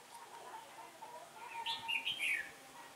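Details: Red-whiskered bulbul decoy bird singing competitively to lure wild birds into a trap on a day of changing wind, 15 October 2017: a short, bright warbled phrase of quick rising and falling notes late on, over steady background hum.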